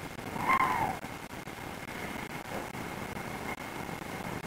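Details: On 3 May 2021 in the Łódź area of Poland, as calls of an approaching female tawny owl provoked a firm reaction, one sharp, slightly descending nasal call of about half a second is followed by steady rushing noise and a faint whine.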